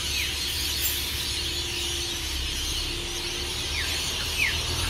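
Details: A steady, deafening wall of high screeches and chatter from hundreds of rainbow lorikeets at Burleigh Heads Beach, Queensland, Australia, just before or after they take off from tall Norfolk Pines before sunrise, with sharp downward squeals standing out.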